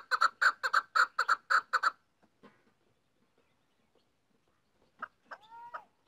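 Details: Female chukar partridge (chakor) calling: about two seconds of rapid, evenly spaced clucking chuk notes, then near silence with a few faint sounds and a short whining, bending note near the end.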